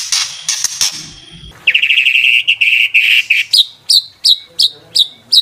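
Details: Caged white-rumped shama song meant to provoke rival birds: harsh buzzy notes, then a fast rattling trill, followed by a row of sharp high repeated whistles spaced about every third of a second.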